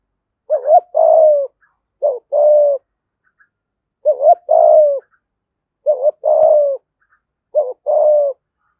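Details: Decoy spotted dove singing a full song in the 'giọng thổ' style: four phrases, each a quick double coo followed by a long, steady, slightly falling coo, spaced irregularly over nine seconds in a quiet setting.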